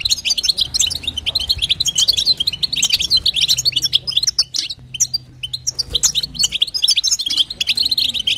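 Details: Female goldfinch calling to stimulate the male goldfinch, batbata and satsata style: fast, jangling high twitters in dense phrases, a short lull around the middle, then renewed chattering chirps; a faint low hum persists.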